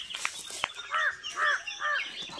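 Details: Crow perched in a tree in a village, calling after about a month without crows: three harsh, nasal caws in quick succession after some clicks and knocks, with faint background noise.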